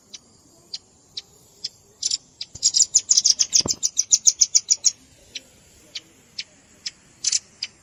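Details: Velvet-fronted nuthatch lure sound mixed with juvenile calls: sparse high chips build into a brief fast run of ticking notes, then fall back to single spaced chips.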